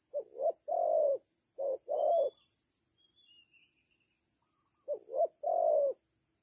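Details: Spotted dove serving as a trapping decoy: two paired low coo phrases, a clipped note then a longer hoarse one, then a few seconds' silence before another similar phrase begins; steady faint high insect drone behind.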